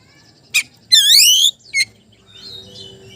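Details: Magpie-robin song aimed at a rival: a short sharp note, one long rich rising whistle, a clipped chip, then faint twittering over a low hum.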